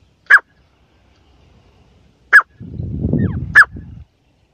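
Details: Three abrupt, sharp partridge notes, the last two separated by a burst of low rumbling noise.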